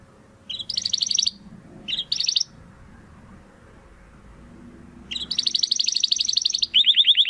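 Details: Domestic canary singing a 'crystal voice' master song for training competition birds: short bursts of high rolling trills separated by a long gap, then a sustained trill ending in a lower, fast rattle; faint background hum.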